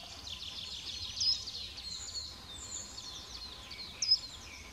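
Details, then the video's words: Eurasian penduline tit (Remiz pendulinus) at Thürer Wiesen, Eifel, Germany, 28 March 2017: two thin, high, drawn-out calls about three seconds apart over a steady hiss of distant birds and insects. "Beutelmeise. Eurasian Peduline Tit."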